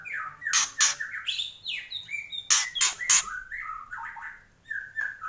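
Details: Kretekan song of a kept white-rumped shama: loud crackling bursts mixed with varied whistled phrases, some sliding, some quick and warbled, delivered rapidly, then a brief pause before further whistles.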